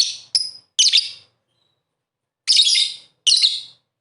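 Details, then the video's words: Lovebird sound meant to provoke a quiet captive lovebird into calling: harsh, high, rasping chirps of varied length, a short cluster at the start and then two longer notes after a pause. "Pancingan Suara Burung Love Bird Terbaru"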